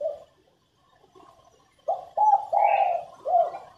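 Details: A female spotted dove, calling to spur males into cooing, gives a faint coo, then a loud run of short hollow notes leading into a long coo and a final note.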